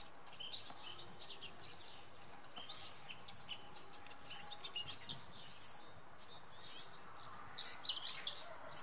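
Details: Male European serin singing at Oksywie on a Sunday: a fast, dense, high-pitched jingling of buzzy, tinkling notes delivered in rapid bursts, louder toward the end, over a steady low background hum.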